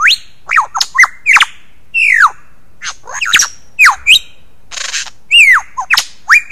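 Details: Lyrebird of Australia's forests and gardens, known for imitating sounds. Loud, varied burst of whistles, downslurred squawks and sharp chirps in quick succession, with one harsh noisy rasp in the middle.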